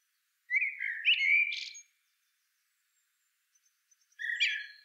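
A middle spotted woodpecker gives nasal, squeaky, slightly buzzy calls in a burst of over a second. After a short pause, a second burst follows.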